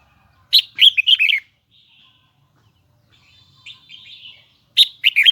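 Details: Red-whiskered bulbul of the Hue type, a kept bird, delivering high double twisting song: a quick bright warbled phrase early, quieter thin notes in the middle, then another loud burst at the end.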